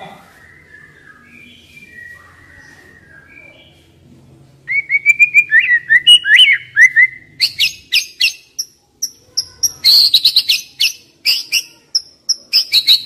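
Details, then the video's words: Song of the white-rumped shama, young forest bird, used to stimulate young wild birds: quiet at first, then a rapid series of whistled phrases and sharp chips, about three per second, climbing into higher clipped notes. "Pancingan MURAI BATU Muda Hutan"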